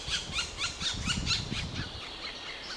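Black woodpecker giving a fast series of about ten loud, ringing, high notes, roughly four per second, over a low rumble of wind.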